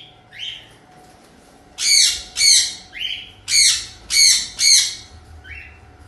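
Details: Cockatiels in a whole colony: a burst of six loud, harsh, buzzy screeches about every half second, interspersed with softer rising whistled calls from other birds, over a faint steady hum.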